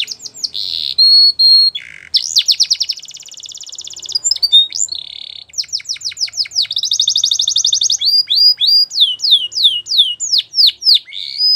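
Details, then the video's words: Song of a Belgian canary, varied and loud: whistled tones, rapid buzzing rolls and repeated sweeping downslurred notes in series, switching between tours every few seconds, with a brief pause near five seconds. "Belgian Canary Song"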